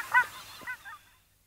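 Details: A distant female Northern Pintail in flight, pursued by males, gives flight calls: one loud, hoarse, honking quack, then two softer cackling notes within a second.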